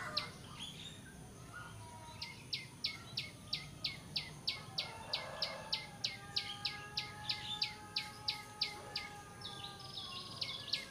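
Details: Bar-winged prinia calls, the kind used to lure birds for trapping: a steady series of sharp, clicking high notes, roughly three a second, over a hissing outdoor background with a faint steady insect-like drone and softer other bird notes.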